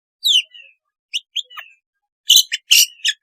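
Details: Long-tailed shrike song, played to encourage a reluctant shrike to sing. Sparse, downslurred chirps give way to a loud harsh, buzzy burst near the end.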